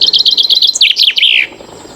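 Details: Common chaffinch song, a short, joyful, energetic cascade heralding full spring in Poland; a quick run of repeated high chipping notes speeds up and descends into a rattling flourish, ending in a strong accented flourish after about one and a half seconds.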